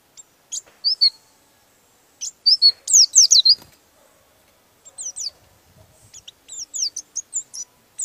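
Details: An Oriental white-eye sings with its beak open in a rolling song meant to provoke rival birds: very high, thin twitters and quick down-slurred notes in rapid rolling bursts, separated by short pauses.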